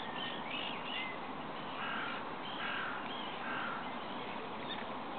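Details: Great Cormorant at a roost/colony on Lac de Maine, Angers-Bouchemaine, France, 30 March 2012, a ringed bird: harsh, guttural croaks roughly once a second over constant rushing background noise.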